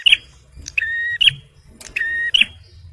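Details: Male bar-winged prinia in song, used to lure birds and stir stressed ones: two or three buzzy, level tones, each bracketed by sharp high chips, in quick succession.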